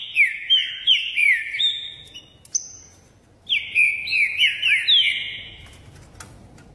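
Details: A Green-winged Saltator in Caxias, Rio de Janeiro, sings two bursts of loud, rich whistled phrases. Each burst is made of quick slurred notes falling in pitch, with a short pause between bursts.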